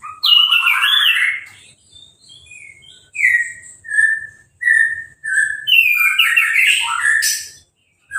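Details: Orange-headed thrush singing in a cage after moulting and being sprayed with a hose, uncovered; a loud rich opening phrase, a series of separate clear downslurred whistles, then a busy warbled burst.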